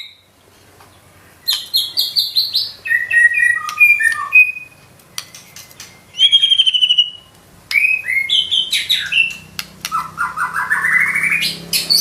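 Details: Murai batu, the white-rumped shama, singing gacor with isian in nembak style: clusters of bright chirps and whistles, a trilled high note, a pause, then a long varied phrase ending in a rising sweep, with a faint low hum.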